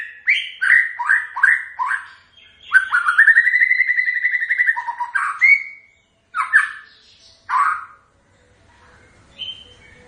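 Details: White-rumped shama characteristic song: varied sliding whistled phrases repeated in quick succession, a long trilled rolling passage, then separate fluty notes with pauses between.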